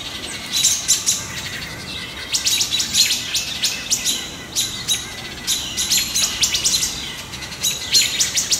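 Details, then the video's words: Wood Thrush giving sharp, high pit-pit alarm notes in quick bursts of three to six, about every second, mobbing a juvenile Great Horned Owl near its nesting area, 6 July 2019; faint background hiss. "Great Horned Owlet and the Wood Thrush - Alarm calls"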